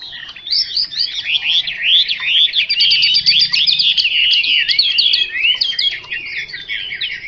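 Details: Chinese hwamei in full song: a long, rapid, tumbling stream of high twittering and whistled notes that zigzag up and down, growing louder in the middle and easing off toward the end.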